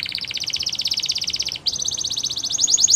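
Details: Canary trilling to get other canaries singing, a fast, even, high-pitched rattle of notes that breaks once and carries on, growing louder toward the end.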